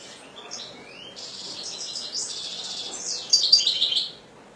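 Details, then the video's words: Captive pet European goldfinch: a quiet rising whistle opens, then a long nasal buzzy trill, and finally a loud sharp burst of tinkling twitters near the end. "حسون رقم 2"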